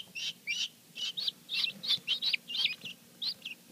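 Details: Just-hatched domestic guineafowl keets, a batch of several birds on their first day: sharp high peeps in quick clusters, some slurred downward, roughly three per second, with short quiet pauses and faint background rustle.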